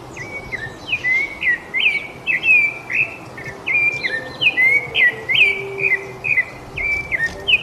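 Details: Rufous-bellied thrush singing a steady run of clear, whistled phrases, each a short slurred note near the same pitch, repeated about twice a second with brief gaps, over a low background hiss.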